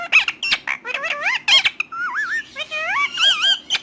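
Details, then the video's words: Talking parrot producing a dense string of wobbling, sing-song syllables and sharp squawks, pitch swooping up and down like an imitated voice. "Romeo One Of The Best Talking Parrot"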